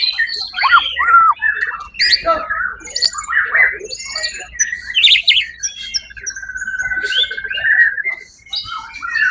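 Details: Competition-winning white-rumped shama (murai batu), 1 October 2023 event, sings jumpy mixed phrases of sharp chips, buzzy bursts and liquid whistles, including one long steady whistle, with brief silences between bursts.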